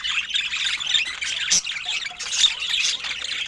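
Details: Budgerigars offered fruit and healthy food chatter together in a continuous, dense stream of high, scratchy chirps and warbles, with sharper squeaks rising above the mass and a brief click near the middle.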